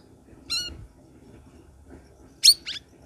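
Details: Prompting song of a Sooty-headed bulbul for caged birds that have gone quiet: one clear downward-sliding whistle, a pause, then two quick bright chirps over soft room hum.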